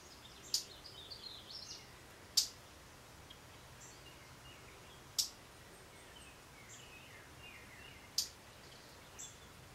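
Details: Two male hummingbirds jousting over a feeder give sharp, very high chips, about four spread unevenly over ten seconds, with faint thin twitters between them over a steady outdoor hiss.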